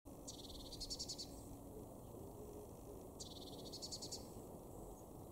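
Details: Eurasian blue tit, a garden bird in Weener, East Frisia, in the far northwest of Germany, in April 2024: two short bursts of high, rapid ticking notes about three seconds apart over a steady low background rumble.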